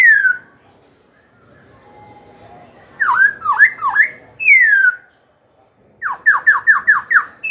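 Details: Indoor caged young black-throated laughingthrush singing to goad rival birds and train young singers: a falling whistle, a quiet gap, a burst of V-shaped notes and a down-slurred whistle, then six fast rising-falling notes in a row.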